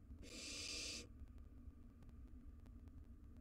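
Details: One drawn-out, breathy screech of about a second from wild barn owl nestlings battling over a mouse in their nest box, followed by quiet low hum and soft clicks.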